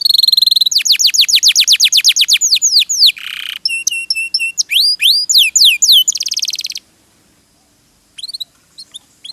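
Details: Canary in a masteran recording meant to get birds singing. A rolling series of downslurred whistles, a harsh buzz, clipped repeated notes and a fast high rattle are followed by near silence and faint chips.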